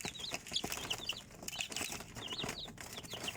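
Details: Chicks keep up steady high-pitched cheeping, short sliding peeps repeated in quick succession amid soft rustling.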